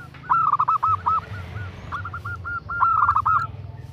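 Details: Zebra dove (perkutut) female calling a male: a bright cluster of quick coos, a soft stuttering middle, then another strong run of rolling notes, against a steady low rumble.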